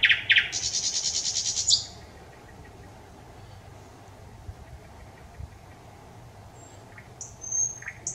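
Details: On 25 May 2021 a thrush nightingale delivers a brief burst of knocking notes and a buzzing rapid trill, then falls almost silent; faint high whistles return near the end.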